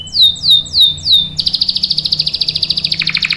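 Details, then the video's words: Canary singing a long rolling song, a 'gacor ngerol panjang' style used as a lure and tutor for young canaries: four high slurred downward notes, then a fast buzzy trill held for two seconds, dropping lower at the end. "KENARI GACOR NGEROL PANJANG"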